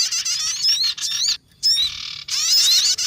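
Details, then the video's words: Trapping lure of sogon bird calls: dense, bright, wavering chatter in three bursts split by short silences, with slurred whistled notes showing through the harsh texture. "MP3 Pikat Sogon"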